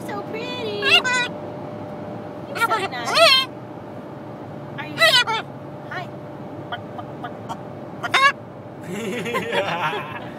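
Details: Romeo, a pet Catalina macaw, on a road trip from Massachusetts to Washington, speaks in short, hoarse, wavering bursts, scratchy mimicked words every two or three seconds, over a steady low hum while his owner coaxes him.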